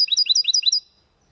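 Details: Goldfinch × canary hybrid male singing a clean Málaga-style song, a fast run of bright twittering notes sweeping between high pitches, about eight rapid phrases in under a second, then silence.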